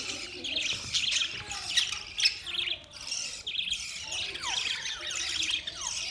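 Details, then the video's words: Budgies chattering as a group, a continuous dense warble of buzzy chirps and short downward-sliding whistles with no pause. "Budgies birds chirping sounds"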